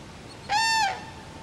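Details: Cranes at Friskalanlahti bay: one loud, trumpeting call lasting about half a second, steady in pitch with a rich, brassy ring and a slight drop at the end, over quiet background hiss.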